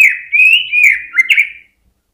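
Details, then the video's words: Greater green leafbird song used as a lure to stir other birds into singing on the hanging cage stand; a loud, sustained whistled phrase that wavers and slides, ending in two brighter rising notes. "PANCINGAN CUCAK IJO BIKIN NGENTROK FULL HYPER DI GANTANGAN"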